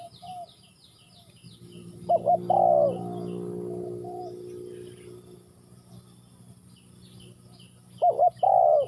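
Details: Spotted dove in Ninh Thuận giving two coo phrases about six seconds apart, each two brief notes then a drawn-out descending coo. Higher chirping of other birds is heard early on, and a low droning hum runs underneath throughout.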